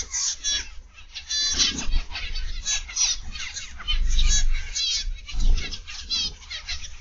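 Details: Flock of zebra finches kept in an aviary, recorded 31 August 2021 in the PM: dense chorus of bright, nasal toy-trumpet calls, rapid and overlapping, over steady low background rumble.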